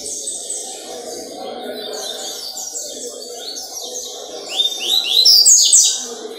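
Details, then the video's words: Captive-bred double-collared seedeater recorded on 4 October 2023, singing a rapid, high twittering song of buzzy, slurred notes that grows louder toward the end, over a steady low background hum. "coleiro top da poxa"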